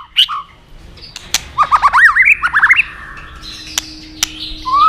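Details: White-rumped shama song used as filler material to prompt other shamas: a brief chip, then a rising string of quick looping whistled notes, followed by quiet gaps broken by sharp clicks.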